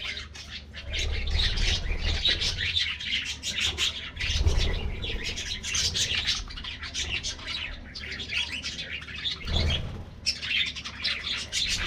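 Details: A colony of colorful budgies in an aviary at their morning treat, giving overlapping high chirps and squawks in busy, uneven waves, broken by short lulls, with occasional low thuds and flapping in the background.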